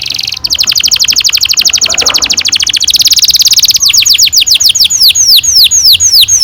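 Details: Canary performing a long roll to encourage young canaries to sing. A fast, even, buzzy trill runs for several seconds, then gives way to slower repeated downward-curving whistles.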